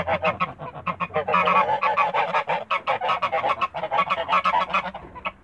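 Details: Toulouse geese, domestic birds in a backyard, keep up a lively stream of short, sharp, nasal honks in fast, uneven rhythm throughout.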